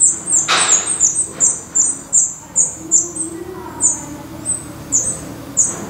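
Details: Black redstart nest, Portugal: quick run of thin, high squeaking calls that slows and spaces out toward the end, with one brief rustle.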